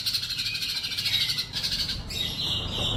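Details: Sunbird tutor song for training lazy caged songbirds at home: an unbroken stream of shrill, fast chattering and squeaky notes, with a short downward slur near the end, over a faint low rumble.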